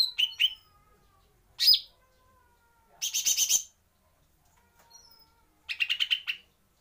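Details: Female white-eye, described as chattering: short bursts of dry, buzzy chatter and sharp chips, each burst under a second with pauses between, plus a few thin high whistles; otherwise quiet.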